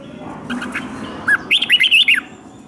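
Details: Red-whiskered bulbul kept in captivity, fighting song for training singing birds: faint notes, then one quick burst of five or six liquid, looping whistled notes over steady low hum.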